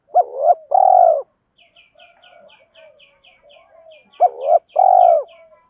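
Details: Challenge and luring call of a decoy spotted dove: paired deep coos, a clipped note then a long vibrating one, at start and end. Between them runs a rapid series of thin high chirps and soft lower warbling from other birds.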